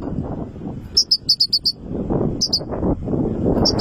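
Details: Three-month-old goldfinch chick singing strongly: short bursts of bright, high chirped notes, a run of six in quick succession, then a pair and a final pair, over a low rumbling background.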